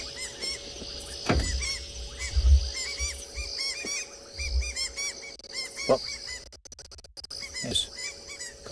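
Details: At sunset on 3 February in Tswalu Kalahari Reserve, South Africa, Southern White-crowned Shrikes, unhappy about a nearby predator, keep up a steady, harsh chatter of short arched notes. Several call together over a low engine-like rumble and a few clicks.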